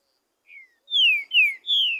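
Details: Free-living green-winged saltator in nature, one song phrase: a faint falling lead whistle, then three loud, pure whistles, each sliding down in pitch, in quick succession.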